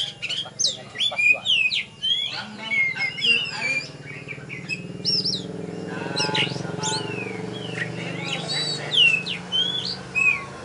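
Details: Champion oriental magpie-robin at a songbird contest in Tebas, just after its contest round. It pours out rapid, varied whistles and sharp chirps in dense bursts. Voices and a low crowd murmur sit underneath, and the song turns quieter midway.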